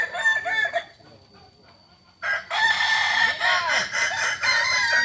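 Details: Contest final for kukuak balenggek roosters in Ampang Kualo, Kota Solok, Sunday 8 September 2024: a short crow ending, nearly two seconds of quiet with a faint steady tone, then a loud, prolonged multi-note crow.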